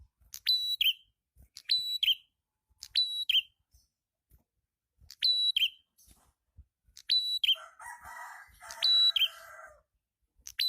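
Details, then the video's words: Red-headed prinia (prenjak kepala merah) in a lively, strong-singing (gacor) lure recording: sharp high phrases, each a flat whistled note falling into a quick warble, repeated about every 1.3 seconds, with a buzzy lower rattle near the end. "SUARA PRENJAK KEPALA MERAH/PRENJAK ATAS GACOR"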